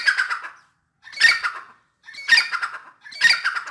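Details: Grey francolin (dakhni teetar) in full spirits: four coarse, screeching call bursts spaced about one second apart, each rising sharply and then fading, separated by brief silences.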